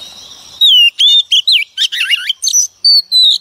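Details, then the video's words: Wild-caught female Oriental magpie-robin singing to stimulate male birds: about a dozen quick, high whistled notes, some downslurred, some rippling and trilled, in a lively continuous phrase after a faint start. "choè than mái bổi lên kích trống quá hay phần 2 | Kích Choè Than Hót"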